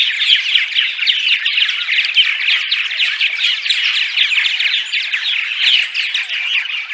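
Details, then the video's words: Continuous purple martin daytime chatter, a busy wash of rapid, scratchy chirps and liquid gurgles from many birds, even in loudness throughout. "Attract Purple Martins (10 hours of Daytime Chatter)!"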